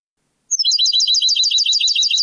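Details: Goldfinch song in the Moroccan Sebtaoui style, taken from an old cleaned-up cassette: after a short silence, a fast continuous stream of bright, tinkling twitters and buzzy high notes runs steadily to the end.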